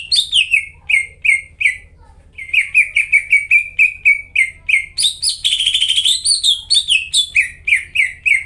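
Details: Greater green leafbird singing hard, a lure for caged leafbirds that will not sing: crisp downslurred whistles in quick series, a short gap, more whistles, then a dense buzzy trill before the whistling resumes.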